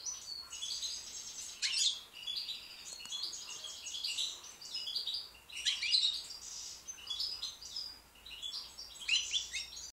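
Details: Young white British goldfinch singing a long, continuous stream of rapid liquid twittering mixed with buzzy, jingling phrases, swelling louder every couple of seconds against a quiet background.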